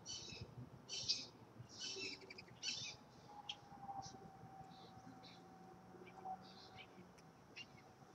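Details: Backyard birds at a feeder in Florida. Bright, high chirps come in short bursts in the first three seconds, then thin out to scattered faint notes over a low steady hum and soft background noise.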